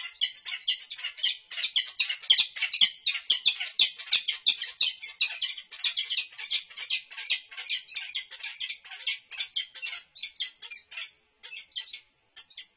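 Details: Resident peregrine falcons on a UC Berkeley nest livestream, 6 March 2024, during a food delivery: a continuous rapid run of sharp high chipping calls, several per second, for over twelve seconds.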